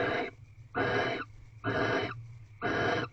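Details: Barn owls mating inside an owl box before dawn at 5:23 am on 8 March 2023: four rough, raspy hissing screeches about half a second long, spaced nearly a second apart, with a low steady hum beneath.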